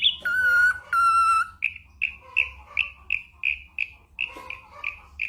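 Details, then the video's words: Ashy drongo mimicking other sounds, used to train songbirds like the white-rumped shama: two long pure whistles with rich overtones, then a run of short clear whistled notes repeated about every third of a second. "burung masteran srigunting abuabu / saeran_abu"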